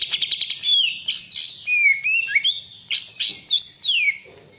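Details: Greater green leafbird song used as a lure to provoke other birds into singing: a rapid burst of short notes, then loud slurred whistles rising and falling, sweeping up and down in quick phrases with brief pauses.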